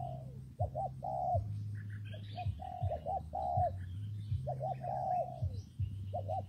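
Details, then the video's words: Amid rain and wind, a spotted dove repeats its soft cooing phrase, quick twin notes leading into a longer descending coo, while small birds chirp faintly high above and a low hum continues. "Thời tiết mưa gió ace vào nghe cu gáy gù cả ngày"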